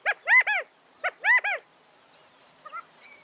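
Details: California quail giving two clear three-note phrases about a second apart, each a short opening note followed by two longer, downward-arched nasal notes, then faint scattered high chirps.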